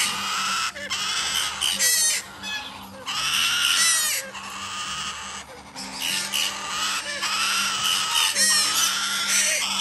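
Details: Hand-fed Major Mitchell's cockatoo chicks bred in Japan calling almost nonstop: loud, raspy, wavering screeches layered over each other, broken only by brief gaps, over a low background hum.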